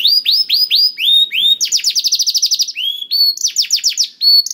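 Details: Canary song as a lure for a reluctant singer: rising upslurred whistles, then a fast rolling trill of about a dozen notes, followed by clear rising whistles and brief high chips.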